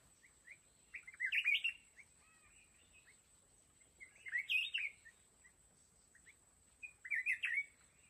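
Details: Trap decoy red-whiskered bulbul luring wild mountain bulbuls: three loud, rich warbled phrases about every three seconds, each a quick tumbling cluster of rising and falling notes, with soft twitters between and steady background hiss.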